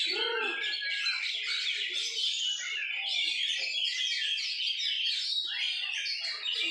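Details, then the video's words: White-rumped shama in a practice session at a songbird contest field with a judge; rich, fast, continuous warbled and whistled phrases with chatter, joined by other birds singing, faint voices in the background. "AKSI NYATA Kacer Stoner"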